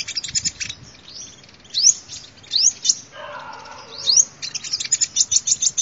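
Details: Sunbird song used to attract birds: high chirps and upslurred whistles in loose bursts, ending in a quick even series of bright chips, with a brief lower humming sound in the middle.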